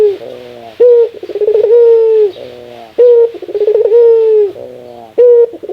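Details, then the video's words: A ringneck dove laughs. A short clipped note leads into a fast, trembling chuckle, then a long, even coo that sags at the close. The sequence comes three times in quick succession. "Suara ketawa burung puter,suara paling langka"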